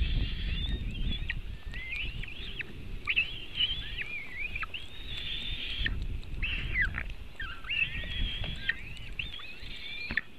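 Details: White-tailed eagle nest in Latvia during an eaglet feeding, afternoon of 24 June 2018; shrill, wavering high calls and yelps in runs over steady low rumbling wind noise.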